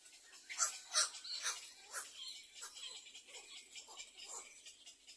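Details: Little egret chicks in their nest, the second nest, waiting for food: harsh, raspy, rising-and-falling squawks come in quick, uneven bursts, loudest near the start, then softer repeated rasps continue.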